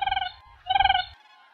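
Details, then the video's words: A Siberian crane calls: two high, clear, musical notes with a slight quaver, the second longer, about half a second apart. "Siberian Crane Sound// Siberian Crane Call//درنای سیبری کی آواز"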